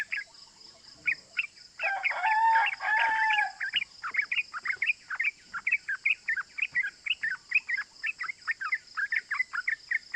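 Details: Trucukan lure of rapid 'cuk cuk' calls from a yellow-vented bulbul, aimed at making others join in: a rich, harsh chattering burst near the start, followed by a long, regular run of short bright chips.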